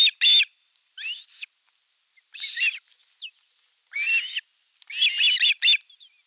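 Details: Ospreys at a western Finnish nest in Satakunta, nest-camera recording from 5 August 2024, elder chick attacking younger chick as fish arrives; scattered high squealing notes, some rising, separated by brief silences.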